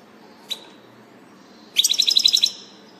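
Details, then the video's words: European goldfinch recorded 16 June 2018: a lone high note, then a quick bright burst of rapid tinkling twitters lasting under a second. "Distelfink Stieglitz Goldfinch"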